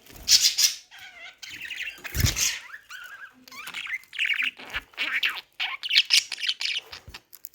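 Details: Talking budgerigar producing a busy stream of warbled, squawky and chirping syllables, with a few louder harsh bursts among quieter murmured notes.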